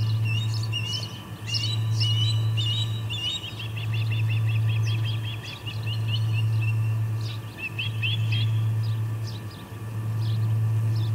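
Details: Ospreys at the Charlo P2 nest on August 21, 2020, 4:15pm MDT, three birds present, one flapping while another flies; runs of sharp, high whistled chirps repeated rapidly in bursts, over a steady low electrical hum that pulses on and off.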